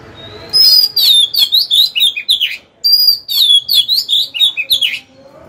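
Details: Caged decoy Oriental magpie-robin singing to lure rival birds to fight, giving two long phrases of bright, sliding whistles and rapid chirps separated by a brief pause.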